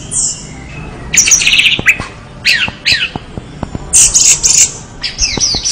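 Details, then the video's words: Orange-headed thrush singing vigorously: a sharp high note, then quick bursts of rising and falling chirps and squeaky trills, with buzzy high flourishes near the end. "anis merah gacor"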